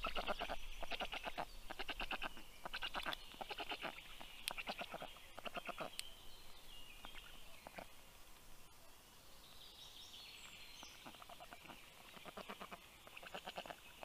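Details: At a Black stork nest in Karula National Park, Estonia, early morning of 19 June 2023, the female brings food to the chicks while the male departs; bursts of harsh rattling pulses fade into quieter background birdsong.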